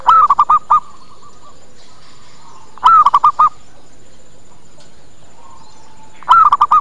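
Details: Zebra dove lure call meant to bring local doves in quickly and get them to reply: one longer cooing note followed by three or four short clipped coos, the phrase repeated about every three seconds, loud, with faint background hum.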